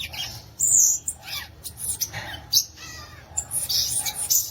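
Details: Violaceous euphonia delivering dense, high-pitched song: strong sharp chips and shrill whistled notes crowded together, with brief buzzy bursts between.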